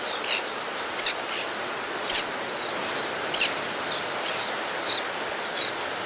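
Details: An adult white-fronted tern calls as it comes to the nesting ledge to feed young: fainter rasping bursts with occasional sharp high squeaks, spaced irregularly about once a second, over constant background hiss.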